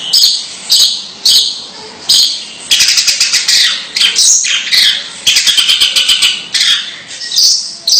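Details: Strange calls from a long-tailed shrike, spaced harsh squawks at first, then rapid rattling chatter and rasping buzzy notes in irregular runs.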